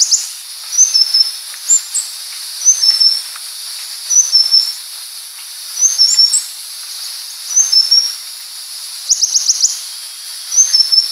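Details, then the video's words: A purple-throated sunbird (Leptocoma sperata) gives very high, thin, sharp little phrases about every two seconds, with a brief twittering run near the end, over a steady hiss. "Suara Burung Madu Pengantin (Purple-Throated Sunbird)"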